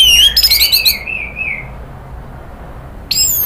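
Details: Orange-headed thrush singing on a pancingan recording meant to rouse agitated nratak calling and then ngeplong song: a fast, high, sliding whistled phrase with trills, trailing off, then a fresh loud burst after a pause.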